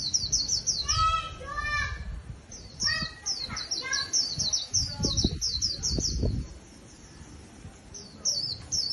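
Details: Freshly trapped caged white-eye sings continuous high, rapid down-slurred chirps while a second, lower-pitched bird adds ringing whistled phrases and soft calls partway through, over faint low noise.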